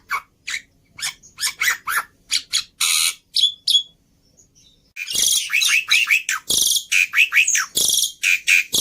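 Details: Javan pied starling, a training recording for cage birds, giving loud harsh chattering and squeaky notes in rapid bursts, then a short pause and a dense run of buzzy, wheezy phrases.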